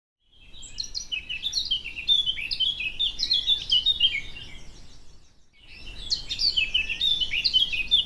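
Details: A Eurasian Blackcap, a bird of mature woodland, hedgerows and scrub, sings a rich, fast warble of fluty and scratchy notes in two long phrases over a low background rumble.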